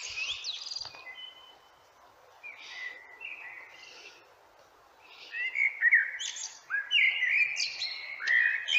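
A common blackbird sings unhurried, mellow fluted phrases, several ending in a thin, squeaky twitter, with a faint high chirp at the start.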